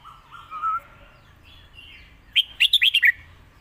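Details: A Red-whiskered bulbul kept for contests gives a low drawn whistle, quiet warbling, then its master-song phrase of six rapid, bright whistled notes, part of a recording meant to teach young birds.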